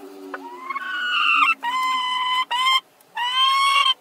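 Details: A pair of chickens competing for the same nest to lay at once: long, loud, harmonic wailing calls, each held about a second and slightly rising, separated by short pauses, over a faint low hum.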